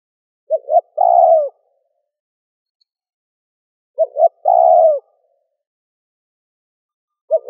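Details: Spotted dove calling to stir up wild doves to answer quickly: repeated deep coo phrases of two brief hooting notes then one drawn-out wavering coo, recurring roughly every three and a half seconds, with no other sounds.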